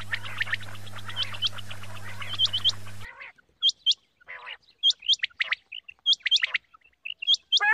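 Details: Female quail from quail farming giving a morning call: sharp paired high whistled notes, repeated amid many softer chirps. A steady low hum runs through the first three seconds, then stops, leaving clean calls against silence.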